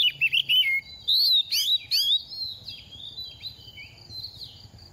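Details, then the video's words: Second-year oriental magpie-robin, moulting and dropping feathers yet singing freely: quick stuttering warbles, then three loud looping whistled phrases, followed by fainter soft notes over a continuous thin high background tone. "Kích chim hót mùa thay lông | Choè than bánh tẻ lên 2 vụ mau mồm đang rớt lông p3 Kích Choè Than Hót"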